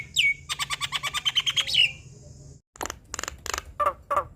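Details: Javan myna (jalak kebo) in full varied song, used as tutoring material for young birds taken from the wild. A rising whistle opens into a fast train of rattling notes, followed by loud harsh buzzy bursts and nasal squawks.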